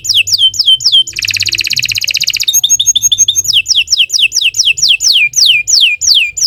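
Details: Domestic canary singing lengthy song used to tutor other birds: quick downward whistles, a loud buzzy trill, a short chirping run, then many repeated slurred whistles.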